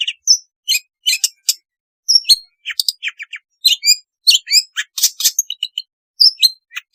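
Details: Energetic long-tailed shrike song for training a reluctant singer: quick alternation of clear whistled slurs, ticking notes and rasping chirps, very varied and almost continuous.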